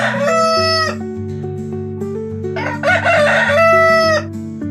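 A rooster crows twice, a short ringing cock-a-doodle-doo and then a longer, strained one, over a steady background of sustained musical notes.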